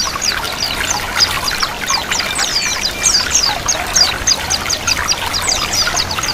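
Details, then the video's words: Rapid twittering white-eye song over the sound of running water, played to encourage birds to open their beaks and sing; dense high chirps and slurred downward whistles throughout. "Terapi pleci 100% mempercepat pleci buka paruh."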